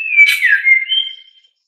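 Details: A white-rumped shama gives one clear whistled song phrase. It holds a steady note, dips lower with a slur, then ends on a brief higher whistle.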